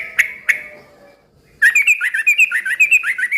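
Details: A noisy, vigorous yellow-vented bulbul, used as a lure to make other bulbuls reply. Two sharp chips, a pause, then a rapid run of bubbly, rolling warbled notes that rise and fall about twice per second.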